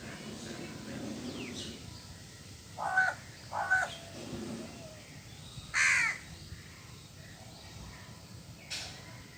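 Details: Crow making noise while eating cooked food and grains: a few hoarse caws spaced irregularly, including one longer loud caw, over steady background noise.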